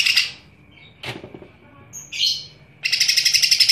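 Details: Cucak ijo, the green leafbird, singing loudly and vigorously with head-bobbing; short high squeaky bursts and a sharp note separated by pauses, then a sustained, very high, buzzy pulsed chatter through the final second.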